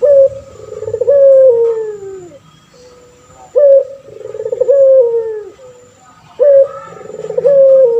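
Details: Male puter pelung turtle dove singing strongly, used to train other doves and draw their replies. Three clean coos about three seconds apart: a sudden lifted note, a rolling tremolo, then a long fading downward note.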